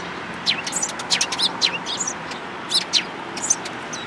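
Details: Eurasian tree sparrows at a Tenmangu shrine in Japan, recorded 14 April 2022. Rapid twittering chirps from several birds come in a busy first half, then a brief pause, then a few more sharp notes.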